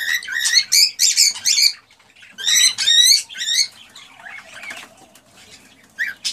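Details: Male cockatiel giving an excited song to stimulate a female to mate and breed: bursts of stacked, rising whistled chirps in two dense runs, then softer warbles and a final sharp note.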